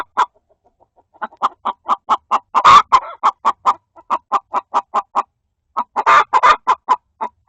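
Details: Hen inside a coop where another hen is laying an egg, seemingly scolding her: rapid series of short, sharp clucks about five per second, in bursts with brief pauses and a few louder, harsher squawks.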